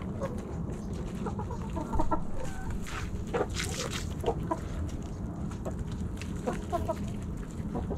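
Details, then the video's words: Backyard chickens, hens and roosters, snacking at Thanksgiving: soft, short clucks repeated irregularly, with a louder squawk near two seconds, pecking clicks and a constant low rumble beneath. "Backyard Chickens Thanksgiving Snacking Sounds Noises Hens Clucking Roosters Crowing!"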